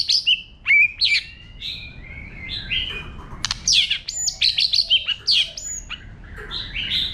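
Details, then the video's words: White-rumped shama singing a wild-style song used to stimulate newly caught birds: rich varied phrases of clear whistles, some rising, others falling, broken by sharp high notes and quick chirps, with short pauses between bursts. "chòe lửa hót giọng rừng kích bổi"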